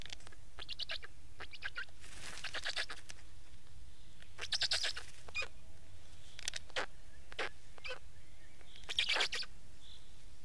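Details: Scratchy, wheezing Black stork notes in scattered bursts over ten seconds, including rapid stuttering strings of clicks, against a low steady rumble.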